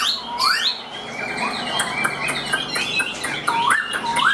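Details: Chinese hwamei kept caged and tame, singing while hand-carried; rising whistled sweeps stand out against a dense busy background of clicks and rattling noise.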